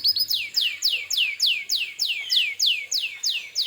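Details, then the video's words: Canary singing vigorously as a provoking lure for other canaries: a steady tour of about eleven identical falling, swept whistles, each dropping sharply in pitch, repeated roughly three times a second. "suara burung kenari gacor ini paling ampuh untuk pancingan kenari agar Nyaut emosi"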